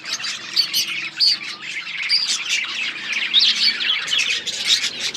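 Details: Many budgerigars chirp at once, a steady wash of high twittering warbles and squeaky notes with short louder peaks.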